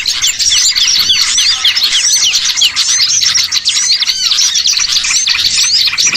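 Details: Small birds chattering in a lure played to draw birds for catching; many high chirps, arched whistled notes and squeaks overlap into a busy, unbroken chorus.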